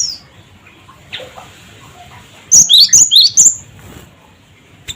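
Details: A cinereous tit, called gelatik batu, giving its 'cret cret wucit' lure call: one tight burst of about six alternating high and lower whistles midway, preceded by a faint slurred note.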